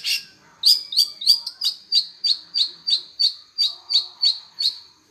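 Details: Long-tailed shrike in lively song, giving sharp, down-slurred high notes at about three per second.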